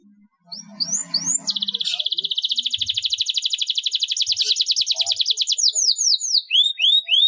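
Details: Sustained canary roll, offered as training for lazy singers: a few upslurred whistles lead into a long, steady, fast-pulsed trill lasting several seconds, then more repeated rising whistles.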